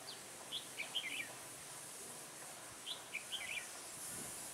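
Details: Decoy red-whiskered bulbul singing during trapping on a cold, windy day, 16 December 2017; two short clusters of sweet, twittering notes about two seconds apart, against soft background noise.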